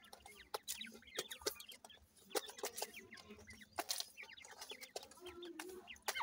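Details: Chicks of the grey francolin giving a busy stream of thin, brief cheeps, some rising and some falling, over frequent sharp clicks and taps.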